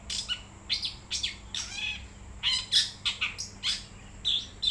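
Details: Wild long-tailed shrike belting out a rapid medley of harsh grating notes, squeaky chirps and brief whistles, about two per second and unevenly spaced, with a thin constant high tone behind.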